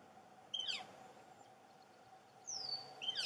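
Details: A juvenile northern flicker calling actively from its nest hole in a snag at the Entrance Pond, its two siblings possibly already fledged: two harsh, high, down-slurred bursts about two seconds apart, the second longer and more ragged, over faint hiss.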